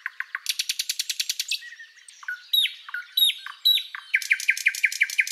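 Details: Thrush Nightingale opening with a few low knocks and a fast bright rattle, then separate whistled downslurs, ending in a series of rhythmic repeated notes.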